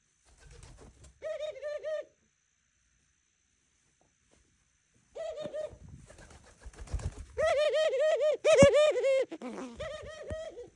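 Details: A pet dove indoors coos in the morning: a short pulsed phrase, a silent gap, then longer, louder series of throbbing repeated coos building toward the end.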